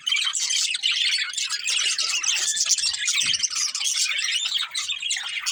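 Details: Pet budgies from a breeding pair produce a constant, dense warble of high chirps and squeaks, loud and unbroken for the whole stretch.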